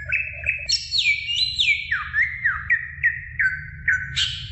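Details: Song of a greater green leafbird, meant to stimulate young birds to sing: varied clear whistles that swoop up and down, a rising note at the start and a string of short descending slurs ending in a high burst, low hum underneath.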